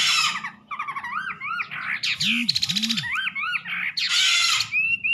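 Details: Wambi bird song mixing harsh noisy bursts with looping up-and-down whistles; a couple of low arched sounds and a constant low hum run beneath.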